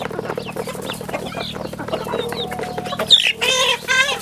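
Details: Chicks on a farm peeping in thin descending notes, followed by a loud, harsh, wavering adult chicken call near the end over a low hum.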